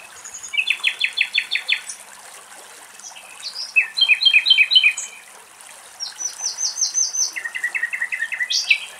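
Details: A common nightingale in a forest beside a river in Greece, where cows cool off on the banks, sings loud, varied phrases of rapid repeated notes and rattling trills, switching pitch and pattern, with a faint hiss of water behind.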